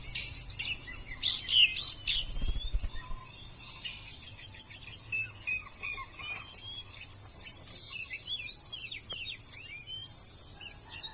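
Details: Oriental magpie-robin in konslet-style song: rapid, varied high chirps, trills and short whistled slurs tumbling together, loud at first then softer, with a steady insect buzz underneath.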